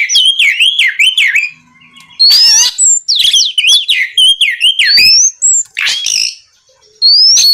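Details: Night song of a kacer (Oriental magpie-robin) in ngeplong style to stir rivals to reply: quick wavering whistles repeated in a rolling series, then a harsh rasp with rising whistles and clear upslurred notes after short gaps.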